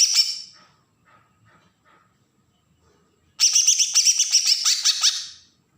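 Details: Agitated besetan song of a Bornean green leafbird, Berau, Kalimantan, meant to provoke other birds: a short harsh fragment, silence, then a two-second run of rapid, scratchy, buzzy high notes that fades out.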